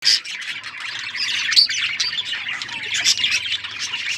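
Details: Budgies chirping together in a steady, dense wash of overlapping high chatter and squawks, with no pauses.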